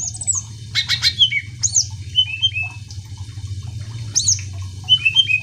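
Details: Greater green leafbird song used to provoke other birds into singing: scattered sharp whistled notes and brief chattering bursts separated by short pauses, over a constant low hum.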